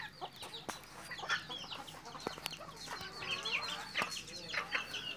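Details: Red junglefowl bred in Mukomuko, Bengkulu, Indonesia: many faint, overlapping high chirps and down-slurred notes, with occasional sharper calls standing out.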